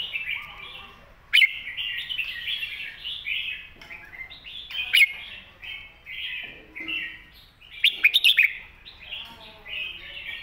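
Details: Red-whiskered bulbul master song used to teach young birds: a steady flow of clear, bouncy whistled phrases, punctuated by sharp loud clicks at roughly one, five and eight seconds.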